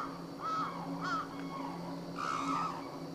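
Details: Captive black-necked crane at Akan International Crane Center on January 8, 2006, giving a few short, level, nasal calls in quick succession with pauses between them, with a steady low hum behind.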